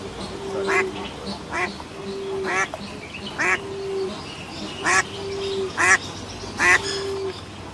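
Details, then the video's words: Ducks swimming on a pond with ducklings, giving loud nasal quacks roughly once a second in a steady series, each paired with a short level tone in the background. "The sound of ducks - ducklings in the pond - swimming ducks"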